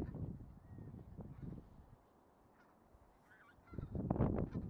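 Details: Bean geese in a flock: bursts of low, clustered honks open and close the stretch, with a quieter lull of scattered calls between.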